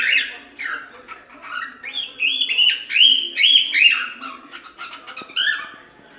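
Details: Cockatiel song of rapid warbling phrases, short whistled notes stepping up and down mixed with scratchy chirps, delivered in a busy continuous stream with a few louder whistled peaks midway.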